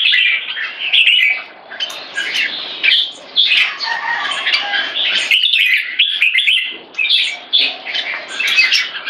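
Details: Caged red-whiskered bulbul, a young bird showing early red cheek spotting, held in a C-shaped aggression stance. Dense, bright warbled chirping runs almost without pause, with short breaks near five and six seconds.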